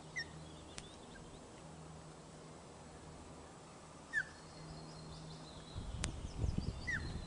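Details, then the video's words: Nest-cam osprey at Loch of the Lowes, 1 June 2013 around 13:26, first feeding of the chick: three brief falling whistles spread across several seconds, with sharp clicks and some low rustling near the end. "Loch of the Lowes Ospreys 2013 - 1 June 13.26hrs - First Feed for Chick"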